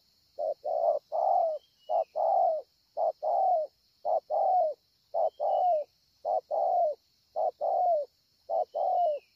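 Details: At Ngọc Hồi, Vietnam, on 25 March 2020, a scar-breasted 'bổi' spotted dove coos energetically: a continuous series of low coo pairs, a short note then a longer slightly falling one, under a steady high hum and a few faint high whistles.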